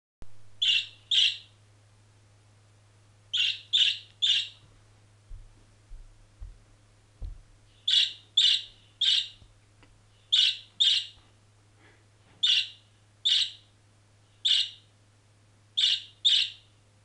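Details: Pet budgerigar, let out of his cage and walking around, chirping eagerly: bright, scratchy chirps in quick pairs and triplets with short pauses between bursts.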